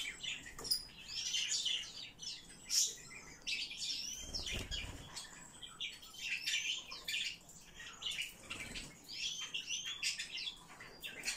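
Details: Eurasian blue tit (Cyanistes caeruleus) giving busy, high twittering and chattering calls in quick overlapping bursts, with soft background rustle.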